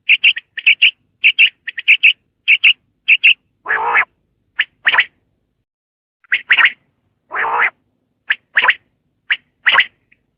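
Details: A common quail (Coturnix coturnix) calls with quick, liquid three-note phrases, interrupted by a few harsher, rasping bursts.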